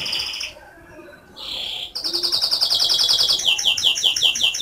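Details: Canary song. A high buzzy trill stops briefly, a whistled note swells, and then a long, loud, rapid trill follows. It slows into evenly spaced bright whistled notes, repeated several times a second.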